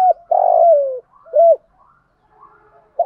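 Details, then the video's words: Spotted doves, both sexes, calling to rouse trained captive doves: a clipped coo, a long burred purring note gliding down, a rounded hoot, then soft low murmurs and a final coo. "Tiếng chim cu gáy dùng kích bổi hiệu quả mỗi ngày"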